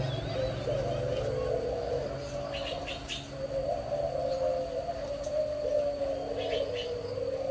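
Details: A spotted dove gives low, soft, wavering coos in long drawn-out phrases, over a steady low hum and faint background noise; recorded 11 June 2023.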